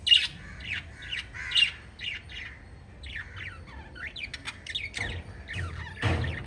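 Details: A family of five lovebirds chirps in quick, shrill, scratchy bursts. The short calls are uneven and sometimes overlap, with a soft rustle or fluttering sound near the end.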